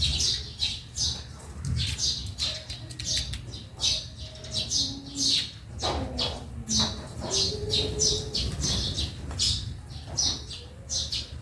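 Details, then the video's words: Sparrows in a backyard keep up a steady chatter of short, bright chirps, several birds overlapping, with a low hum and faint tonal background noise underneath. "Honi ng maya sa bakuran/Relaxing sounds of sparrow"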